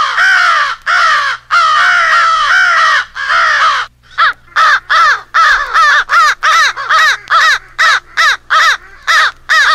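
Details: American crow rally call from a crow-hunting compilation of a fight with an owl: several long, hoarse, overlapping caws, then an accelerating series of short, clipped caws, roughly two or three per second.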